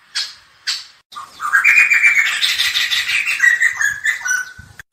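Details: ['Black-hooded laughingthrush: two sharp harsh notes, then a rising whistle opens into a long, loud, scratchy chatter mixed with clear whistles. The phrase ends in falling notes.']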